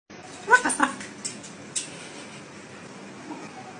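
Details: Parrot talking, said to utter "wtf": a brief burst of harsh, speech-like syllables within the first second, followed by a few faint clicks and quiet indoor background.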